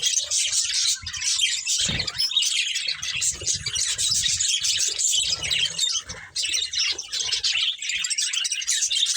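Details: Pet budgerigars feeding, giving steady overlapping high chirps and warbling chatter from more than one bird, with a brief dull thump near two seconds and a short lull after six seconds.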